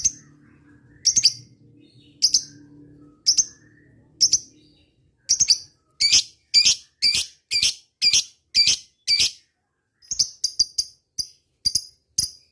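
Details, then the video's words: Lovebird ngetik calls toward rival birds: single sharp high chirps about a second apart, then a quicker, louder run of paired ticks, and finally brief clipped clicks. "suara burung lovebird ngetik ngekek"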